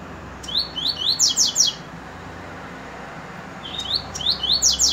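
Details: Two matching coleiro phrases about three seconds apart, each built from a few rising whistles and a rapid series of buzzy falling notes, with quiet background between them.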